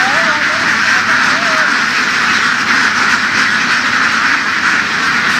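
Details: Laying ducks driven through fields in western Vietnam, a busy, steady roar of overlapping quacks from the flock, with a human voice briefly heard near the start.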